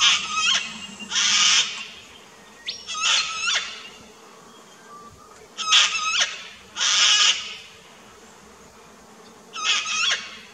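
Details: Sulphur-crested cockatoo calling in an Australian backyard garden on 21 September 2019, captured with a Nikon Coolpix P900: coarse, raucous screeches in two-note pairs and singles spaced a few seconds apart, with quiet background hiss.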